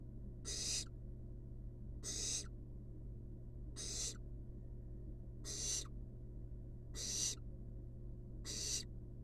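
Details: Wild barn owl nestlings napping in a monitored nest box give broad rasping hisses, about six in nine seconds at fairly regular intervals, over a steady low hum.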